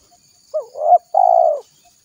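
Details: Spotted dove calling to draw in wild doves for trapping. One full phrase: a quick hooked lead-in note, a swelling coo, then a long, slightly falling, purring coo.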